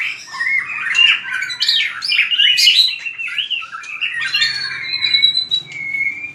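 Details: White-rumped shama in fighting-style song (hót đấu) used for voice training: a fast, varied run of bright whistled phrases, sliding up and down, ending on a held high whistle, with a faint low hum beneath.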